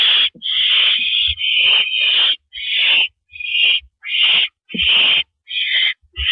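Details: At 8:17 PM on April 9, 2012, an owl on a porch perch makes irregular harsh hissing screeches, some long and drawn out, others clipped, roughly once a second, with dull low thuds underneath.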